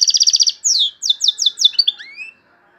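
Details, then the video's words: European goldfinch from Algeria singing loudly, with song phrases known locally as torogio, kaka gio and borwis: a fast buzzy trill of about ten repeated notes, then a run of descending twittery notes ending in a rising whistled slur. "تغريد مقنين عالي 🇩🇿💪😱طوروجيو كاكا جيو بورويس اشبع"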